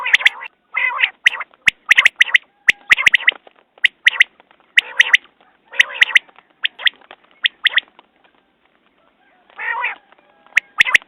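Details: Long run of common quail calls, crisp triple-note phrases repeated about once a second. Brief harsh grating notes mix in, and a short rasp comes near the end.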